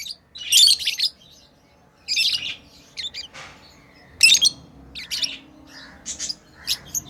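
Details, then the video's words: Pet lovebirds playing give scattered shrill chirps and rasping squeaks, with a few louder sharp notes standing out and soft pauses in between. "Lovebirds playing & Chirping sounds"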